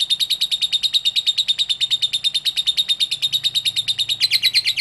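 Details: Sustained ngekek chatter from a lovebird, played to get other lovebirds singing: rapid, evenly pulsed shrill notes repeated without a break, rising slightly in intensity near the end.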